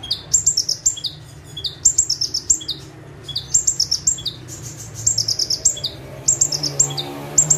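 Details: Bar-winged prinia (ciblek, prenjak tebu) singing in full-burst 'tembakan' style while perched at one spot: high, rapid thin notes in bursts, each cluster led by short descending whistled slurs, repeated about every second over low background hum.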